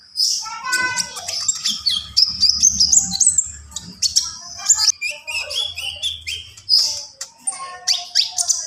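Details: Varied song of a Javan pied starling: a continuous stream of sharp chirps, trills, squeaks and descending whistled phrases, with a faint low hum in the background.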